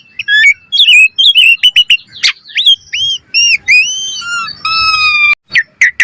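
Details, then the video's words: Asian pied starling singing vigorously with full variation, used as a lure for training: rapid run of sharp chips and clicks, then clear slurred whistles, rising and falling, some held steady, ending in harsh bursts. "Pancingan Jalak Suren Gacor Mompa Full Variasi - Masteran Suara Burung Jalak Cepat Gacor Full Isian"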